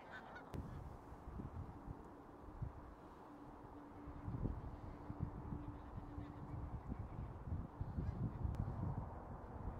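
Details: A flock of migratory bean geese gives a dense, continuous low murmur of overlapping honks and gabbling, with a steady low hum running through the middle and occasional sharper clicks.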